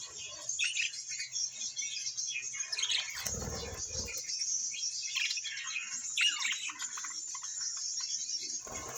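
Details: Pet budgies chattering nonstop in high, buzzy, scratchy twitters with short squeaky notes, plus a brief low rumbling thud partway through.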